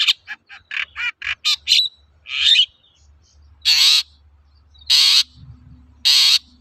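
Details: Long-tailed shrike kept as a songbird, its lively song used as a lure to prompt other birds to sing: a run of short chattering notes, then a scratchy phrase and three loud harsh buzzy bursts spaced about a second apart.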